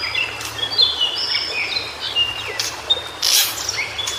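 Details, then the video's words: Wild White-browed shortwing song: clear high whistled notes, some held steady and some dipping, strung together unevenly, with a few sharp crackling bursts near the end. "Suara Burung Cingcoang Biru Di Habitat Aslinya"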